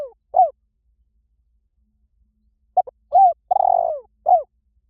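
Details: Decoy cooing of a spotted dove: the tail of one phrase, then after a pause a full phrase of two quick clipped notes, a bent coo, a long throbbing coo that falls at the end, and a closing short coo.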